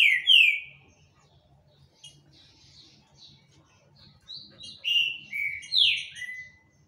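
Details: Green-winged saltator singing a lot: a loud descending whistle, a pause of soft high notes, then a run of four or five bold whistled slurs stepping downward, ending with a sustained note.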